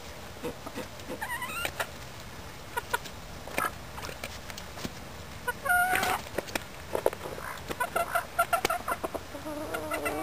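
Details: Four hens, a cross of a Silver Duckwing Old English Game Bantam rooster and a Golden Sebright hen, with an old Blue Silkie rooster that helps them make nests; short soft clucks and chirpy notes come irregularly over background hiss.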